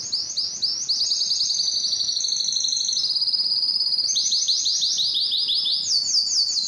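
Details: Canary singing steadily: high rolling trills, a sustained buzzing tour, then fast descending repeated notes, all loud and unbroken.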